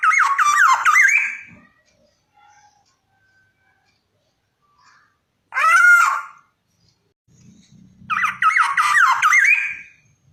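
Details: Black-naped oriole heard indoors giving three separate bursts of rich, looping whistled notes, each about a second long, with quiet gaps between them and faint low rustling.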